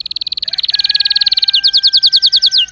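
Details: Canary song: a fast, steady trill of bright, high repeated notes, roughly a dozen per second, shifting midway into slower, fuller down-slurred notes, loud and clean with no other sounds.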